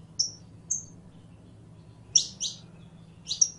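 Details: Sparse saffron finch song: two thin whistled notes, then a pause, then paired sharp high chirps and a final double note, all over a quiet low hum.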